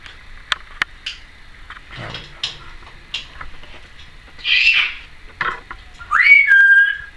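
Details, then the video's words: Female pet Timneh African grey parrot, recorded in 2012, gives scattered sharp clicks and ticks, then a rough noisy squawk and a closing whistle that rises then drops. "Timneh African Grey Parrot...various noises"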